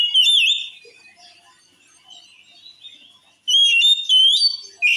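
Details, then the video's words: Oriental magpie-robin song said to provoke other males to rage: a loud burst of bright whistles, then a quiet stretch of soft warbling, then renewed loud, clear rising whistles. "Suara Kacer Ini Mampu Bikin Kacer Lain Auto Ngamuk"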